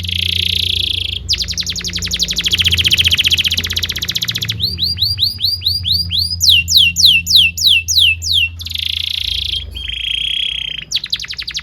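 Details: Canary song offered to train young canaries quickly: varied phrases switching between rapid buzzy rolls, rising and falling swooping whistles, and a steady tone, over a faint low background hum.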